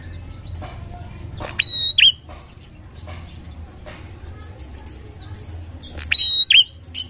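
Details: Bar-winged prinia lure sound: two loud phrases of a sharp high whistle and a falling twang, some four seconds apart, amid scattered soft chirps of other birds.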